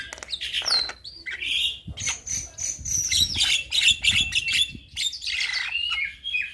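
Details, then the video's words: A young Javan myna in full, lively song of varied phrases that is said to get other mynas responding; squeaky whistles and high rasping chatter run almost without a break, ending in wavering whistled notes. "Burung Jalak Muda Pasti Nyaut Saat Dengar Kicauan Jalak Kebo Muda gacor Full Isian"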